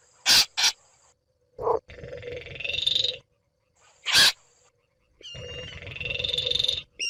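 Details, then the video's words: A Baillon's crake gives two dry, frog-like rattles, each about a second and a half long, with sharp clicks and taps between them. "Baillon's Crake Bird Sound"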